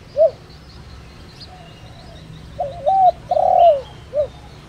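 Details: Spotted dove decoy with a pure 'đồng' voice, calling to draw in wild birds. A lone closing note, a pause, then one complete phrase: a double coo followed by a long trilled coo and a short final note.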